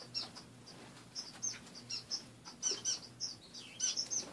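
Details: Several caged pet finches chirping in the morning, a steady scatter of soft, very high, short tweets repeated every fraction of a second, with a faint low hum underneath.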